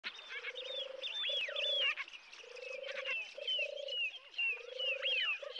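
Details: European turtle dove recorded from the car park at RSPB Frampton Marsh reserve on 26 July 2020. Low, soft purring phrases repeat through the clip, under louder, varied whistling and chattering from other birds.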